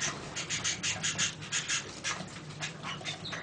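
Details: Young Belgian canaries (Serinus canaria domestica), recorded in 2011, sing a scratchy, rapid chatter of buzzy bursts, several per second, laced with thin high whistles, over a low steady hum.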